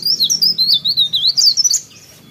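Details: Energetic song of a sooty-headed bulbul, a quick string of about a dozen high, wavering chirps run together in under two seconds, then silence.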